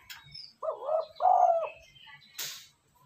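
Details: ['Spotted dove cooing for luring wild birds and training decoys: a single phrase of a mellow first note running into a longer, louder low coo, followed by a short burst of rustling noise.']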